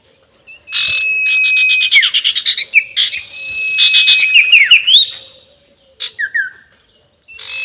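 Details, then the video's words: Long 'nyiul' call of a sirtu bird, used as a trapping lure: rapid runs of high chattering notes over a thin sustained whistle, then short falling chips after a pause. "SIRTU NYIUL PANJANG ..... ‼️ Cocok Untuk Pikat || Suara Pancingan Sirtu"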